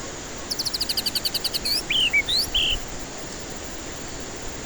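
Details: White-rumped shama lure song for stressed birds that won't sing: a fast even series of around twelve high ticking notes, then a few loud whistled slurs rising and falling, followed by silence.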